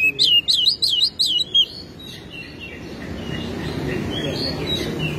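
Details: Kacer, or Oriental magpie-robin, a vigorous singer with tail spread, showing its learned repertoire: a loud series of about five quick, ringing whistled notes, then softer scattered high phrases over rising background hum.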